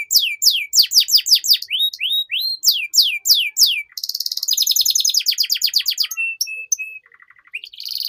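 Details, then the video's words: Canary master song used to train young canaries to sing quickly: long varied run of loud, clear phrases — rapid descending whistled sweeps repeated in series, then buzzy trills and rolls, steady pure notes and a low rattling tour, all very high-pitched and continuous. "PANCINGAN Kenari PAUD Agar Cepat Bunyi || MASTERAN Burung KENARI Gacor Panjang"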